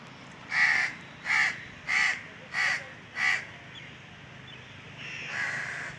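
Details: Indian crow cawing from a treetop on a very hot summer day: five harsh, evenly spaced caws in about three seconds, then quieter fainter calls trailing off.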